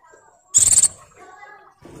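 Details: Breeding-condition female Oriental white-eye calling for males: a single loud, high, rapid buzzy trill lasting about a third of a second, with soft low hum around it.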